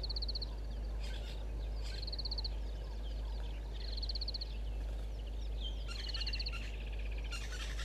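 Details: At 05:11 on 18 December 2021, at Gowrie dam waterhole, Djuma Game Reserve, Sabi Sand, South Africa, a pied kingfisher gives sharp, high twittering bursts about every two seconds, with fainter chirps from other birds and a steady low rumble behind.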